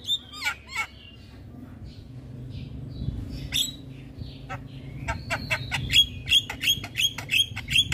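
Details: Javan myna in energetic gacor song meant to excite other mynas: a few looping whistles and scattered harsh notes, then a high steady whistle followed by a regular series of sharp chipping notes about three per second.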